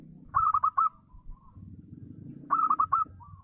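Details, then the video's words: Two phrases from a local zebra dove known as a keen singer, each a fast run of four or five bright, bouncing coo notes ending in a quieter lingering coo, with a low rumble in the background. "SUARA BURUNG PERKUTUT LOKAL GACOR AHLI NYA AHLI MEMANCING LAWAN BUNYI"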